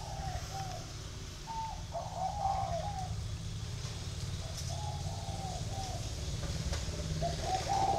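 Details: Spotted dove in an aviary in Ba Vì, Vietnam, performing the dây vàng style song: repeated phrases of low, mellow, hollow coos, some notes gently rising, spread evenly across eight seconds over a constant low hum.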